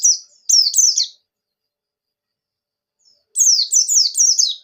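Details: Pleci buxtoni, the Javan white-eye, in the ngalas ngerol nembak song used to get reluctant birds singing. Two bursts of three or four high, sharply down-slurred whistles, separated by about two seconds of silence.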